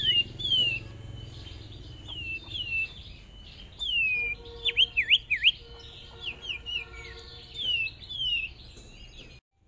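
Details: Hwamei decoy bird, newly brought out for its first small practice round of a fierce singing contest, gives a run of slurred whistled notes, many dropping in pitch, several fast rising-falling sweeps near the middle, repeated rapidly throughout.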